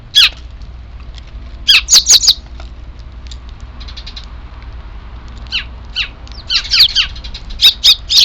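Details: Sparrow chicks calling on 3 April 2024 before evening feeding; clusters of three to four shrill chirps separated by quieter stretches with faint distant twittering.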